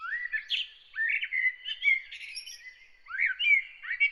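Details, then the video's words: Bird singing at early morning, delivering a continuous run of upslurred chirps and warbling twitters, with a brief pause before a fresh burst of notes. "Bird singing early in the morning"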